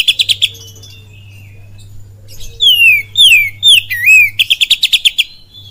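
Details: Lure song of an oriental magpie-robin, full of kapas tembak and cililin phrases: a fast stutter of sharp notes, a quiet pause, four falling and looping whistles, then another rapid burst of ticking notes, with a constant low hum.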